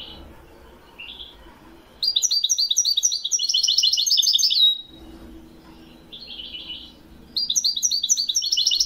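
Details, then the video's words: Wedani-style European goldfinch song from Morocco, 2021: two bursts of fast, high, jingling twitters separated by a quiet pause holding a few softer chirps. "تسجيل طائر الحسون الويداني من أجمل الطيور لسنة 2021... le meilleur chant du chardonneret au maroc"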